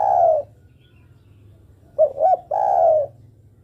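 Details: Female spotted dove calling to the male: a long, low, hollow coo fades out, then after a pause two short rising notes lead into another drawn-out falling coo.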